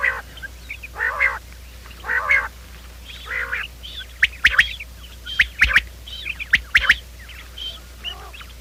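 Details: Quail calling for a morning trapping lure: harsh nasal stacked calls at first, then quick sharp clicks mixed with high short whistles, many birds calling together over a low hum.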